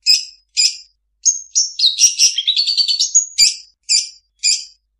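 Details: Long-tailed shrike singing a medley of borrowed calls: spaced sharp chirps, then a run of rising and falling whistled notes, ending in three evenly spaced high chirps. The recording is otherwise quiet.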